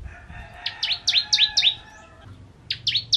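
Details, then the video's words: Ciblek Kristal, the bar-winged prinia, singing in full ngentrok fashion: quick descending high slurs, about six in a row, a short break, then three more, over a faint held tone. "Ciblek Kristal Gacor Full Ngentrok"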